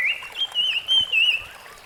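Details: Rusty-fronted barwing in the wild delivers a lively run of loud, wavering whistled notes in quick succession, fading at the end, with a soft stream-like hiss behind.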